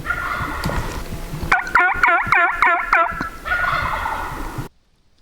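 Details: Wild turkey tom gobbling in spring in the Idaho backcountry as he approaches hunters' hen calling. A loud, rapid gobble of looped, rattling notes fills the middle of the clip, with sustained tonal calling before and after and then a sudden cut to silence.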